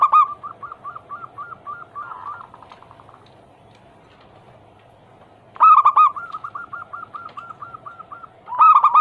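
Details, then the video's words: Zebra dove song, a daily lure recording meant to prompt silent or lazy captive doves to sing: bursts of rapid, evenly repeated cooing notes, the first at the start, the next after a quiet gap of about three seconds, then another near the end. "Pancingan harian burung perkutut Anggungan paling ampuh langsung bunyi hitungan detik"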